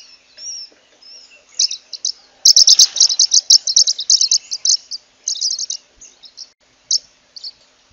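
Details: Zebra waxbill (Amandava subflava) song: a few soft high notes, then a fast burst of rapid, high-pitched chirps run together for about three seconds, ending in scattered single notes.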